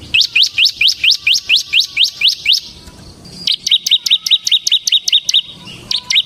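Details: Ciblek semi (bar-winged prinia) in gacor form, recorded as a lure and training master song: a steady series of rising high chirps, a short pause, then a faster string of sharp repeated notes.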